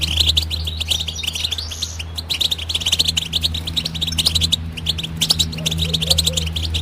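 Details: European goldfinch singing a dense, rapid twittering song of high tinkling notes and buzzy trills, continuous throughout, over a steady low hum.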